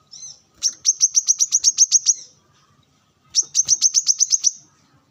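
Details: Brown-throated sunbird singing while sunbathing and calling out to rivals, alongside wild birds: two fast bursts of about ten high, sharp chirps each, evenly repeated, separated by a short pause.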